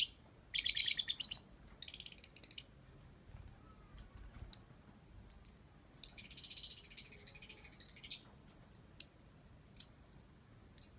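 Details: Lovebird singing in the ngetik style: bursts of rapid high buzzy ticking chatter alternating with short sharp chirps, irregular pauses between phrases, quiet background.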